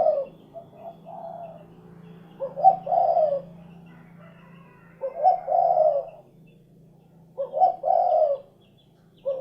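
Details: Low, mellow cooing of a spotted dove (derkuku), phrases of a quick stutter note and a longer rolling coo recurring every two to three seconds.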